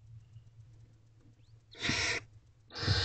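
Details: Barn owl owlets in a nest box at night, 2:32 am, 23 April 2023, the mother making sure the younger owlets get enough to eat; two loud broad rasping hisses, the second near the end, over a low steady hum.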